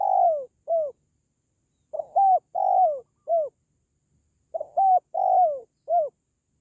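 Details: Repeated spotted dove cooing, used to encourage pet doves or draw in wild ones: phrases of four mellow notes, long third note sliding downward, recurring about every two and a half seconds in a steady rhythm.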